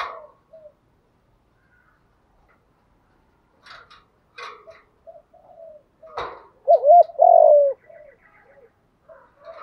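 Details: Spotted dove coo phrase meant to excite decoy doves, a doubled coo and a long falling note near the end, preceded by soft scattered coos and a few clicks and knocks.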